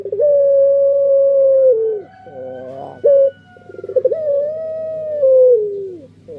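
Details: Puter pelung dove singing: a long, steady, mellow coo drawn out for nearly two seconds and dropping at the end, a short rolling burst of notes, then a second long sliding coo, over a faint low steady hum.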